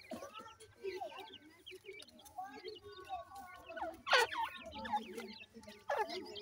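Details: Young francolins being fed, their quick high chirps rising and falling in a dense overlapping chorus, broken by sharp loud tapping or clicking sounds, likely pecking at food or a dish.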